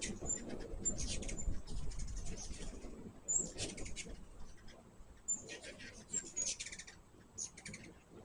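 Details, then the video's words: Feeding hummingbirds make repeated clusters of sharp, high-pitched chips and twittering squeaks, several bursts in eight seconds, with rustling low background sounds underneath. "My first hummingbird video with natural sound."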